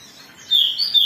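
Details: Agitated singing from an Oriental magpie-robin, used to spur others to sing: a short, loud, sharp whistled phrase bursts in after a quiet moment, with rapid high notes.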